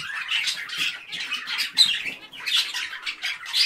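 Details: Chirping parakeets give short, raspy squawks and bright chirps in quick clusters, pausing briefly between bursts of busy, overlapping calls.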